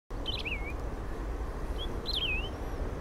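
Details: Saffron finch, known locally as canário-do-brejo, singing: two short high whistled phrases, each a quick sliding wavy note falling then rising, about a second and a half apart, over a steady low rumble of background noise.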